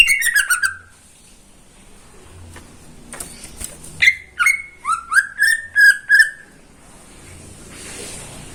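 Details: Caged greater green leafbird singing in the morning: a rich opening phrase, a quiet pause, then a run of loud, clear whistled notes sliding downward, each about half a second apart.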